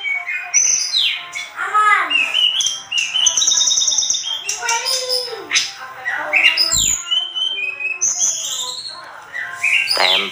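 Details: Excited, nonstop singing from a Sunda robin for teaching cage birds: rich whistles, descending slurred notes, buzzy trills and fast chattering runs packed tightly together, with a short sharp click and a brief quiet dip near the end.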